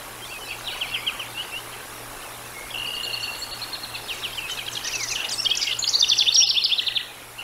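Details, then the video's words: Bald eagles at the Decorah North nest, filmed by a live nature camera on 13 July 2022 at 18:47; quick series of high, thin staccato chips, faint bursts first, then a louder rapid chattering run near the end. "Decorah North Bald Eagles"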